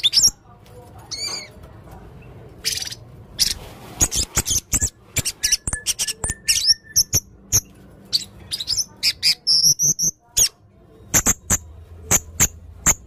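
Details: Blue-crowned hanging parrot, serindit leher merah, singing energetically with varied material: long series of sharp, very high clicks and squeaks at irregular spacing, with a few thin whistled notes scattered among them.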